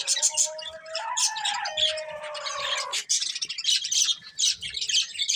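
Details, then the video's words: Colourful budgerigars kept as a breeding pair, a dense stream of scratchy, warbling chatter over layered whistled tones that slide up and down, then a run of rapid high chirps. "Colourful Budgies Chirping Sounds"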